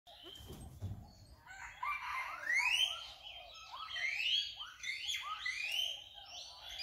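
Crested serpent eagle giving loud, ringing whistles that rise then fall, repeated in quick overlapping series after a brief low thump at the start.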